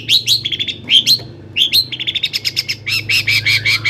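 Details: Long-tailed shrike in full varied song, used to stir other shrikes: rapid chattering phrases of mixed whistles and harsh chips, with a brief pause, then a long run of fast buzzy notes.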